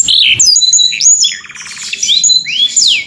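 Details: Canary calling its companion in a clear voice: high sweeping whistles and a burst of rapid buzzy pulses, then long falling and rising slurred notes.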